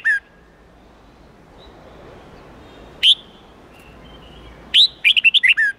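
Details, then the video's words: Red-whiskered bulbul, wild-standard 8-9-10 note song for young birds to learn. Two isolated sharp whistles, then a quick run of about seven chirpy whistled notes falling to a lower final note. "Luyện Chào Mào Hót Giọng 8-9-10 Ép Chim Non Học Giọng Chuẩn Rừng"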